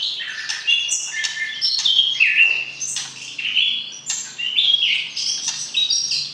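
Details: Murai batu (white-rumped shama) in a breeding pairing, calling to arouse a mate: crisp whistled notes, slurred drops and sharp upward flicks in short bursts, with a steady low hum in the background.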